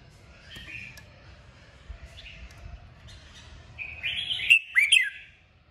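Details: Red-whiskered bulbul song of the 'kích bổi' kind, played to provoke birds into singing: soft scattered whistles early on, then a loud burst of sharp, warbled notes near the end before it falls quiet.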